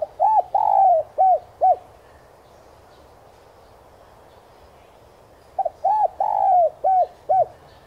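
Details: Repeated spotted dove lure call for training captive doves to coo: one phrase of arched hollow coos with a long falling middle note, about four seconds of quiet, then the same phrase again, led by a quick double note.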